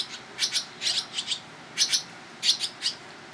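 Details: Barn swallow young being fed by their parents on private property in Toronto, Ontario, Canada, on 11 July 2010: high, harsh chirps in quick pairs and clusters, repeated about every half second, with brief quiet gaps.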